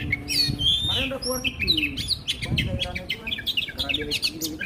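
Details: Oriental magpie-robin singing for training and morning and evening therapy: a clear high whistled opening, then a busy jumble of quick chirps and twittering notes with some lower warbles and background rumble.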